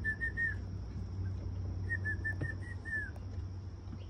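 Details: Mountain quail giving short, clear whistled notes: a quick burst of three, then about six more, the last slurring downward, over a low rumble and steady high hiss.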